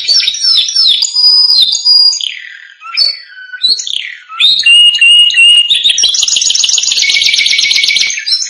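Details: Canary song for training canaries: a loud, unbroken, varied run of high whistles, slurred notes and buzzy trills, ending in a fast, rich rolling trill.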